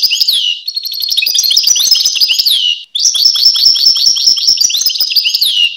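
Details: European goldfinch song made of busy, jingling high notes and buzzy trills, two long phrases split by a short gap and ending in falling slurred notes.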